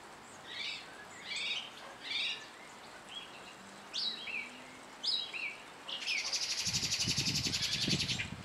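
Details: European goldfinch eating black sunflower seeds at an automatic feeder, giving short, bright twittering calls in quick groups, followed by a steady rattling mechanical noise.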